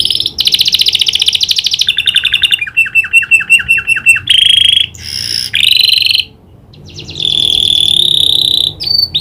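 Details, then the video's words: Canary singing with imitated prinia clicking call: loud high trills alternate with rapid clicking pulse series and buzzy sustained phrases, changing pattern every second or two. "Burung kenari gacor isian prenjak klik"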